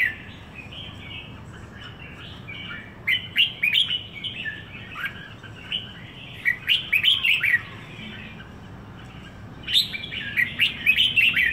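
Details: Red-whiskered bulbul kept in Singapore for a week sings repeated bright warbled phrases, with a quiet start followed by two longer bursts of rapid chirps, accompanied by continuous low-pitched background noise.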